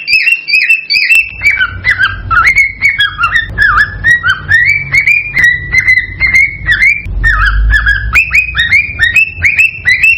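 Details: Cockatiel mating call, used to encourage a pair to breed and lay eggs: a loud, continuous run of whistled notes, many swooping down then up, with short rising phrases, indoors.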